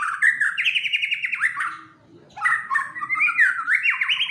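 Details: A white-rumped shama kept as a fighter bird sings fiercely while agitated. Dense rising, choppy phrases repeat rapidly in two long bursts, split by a short gap, over a faint low background hum.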